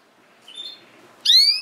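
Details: Female canary: a faint thin whistle, then one loud upswept note with stacked harmonics rising sharply near the end.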